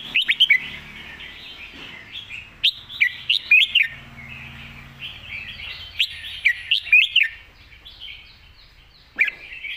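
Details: Red-whiskered bulbul giving the phleng mae bot, a golden-voiced master song: a steady stream of bright, jerky whistled phrases in quick clusters, each note sliding up then down, fading into quieter warbles near the end.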